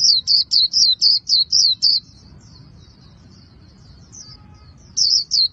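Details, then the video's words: Vietnamese artisans' white-eye in "líu" song: eight loud, evenly spaced, high descending whistles in under two seconds, soft faint twittering, then two more strong notes, in a quiet setting. "KHUYÊN LÍU HAY NHẤT 2019"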